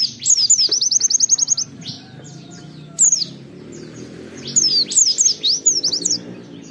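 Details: Oriental white-eye singing a lure song to set other white-eyes singing: a fast run of about a dozen evenly repeated high chips, then after a pause, bursts of sharp, slurred whistles, over a low steady background hum.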